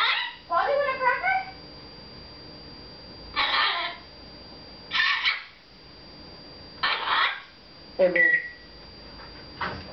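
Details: Red-fronted macaw kept as a pet, chattering to its owner inside a house; a burst of rapid speech-like syllables, then several loud harsh squawk-like notes spaced about every one and a half seconds.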